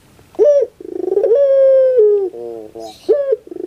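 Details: Puter pelung dove song used to coax a reluctant bird to sing: a brief high opening note, then a sustained, slowly falling coo and a lower buzzing tail. A new phrase begins near the end.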